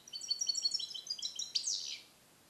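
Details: Captive-born European goldfinch from 2021, trained in Neapolitan song and recorded in a carrier cage; quick high tinkling twitters ending in a downward sweeping buzzy note.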